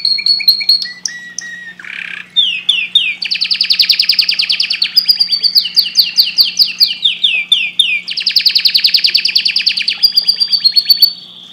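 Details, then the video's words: Canary in full song: opening whistles and chirps, then extended loud rolling trills and runs of rapid swooping notes lasting over eight seconds, with a faint low hum. "Canary bird singing"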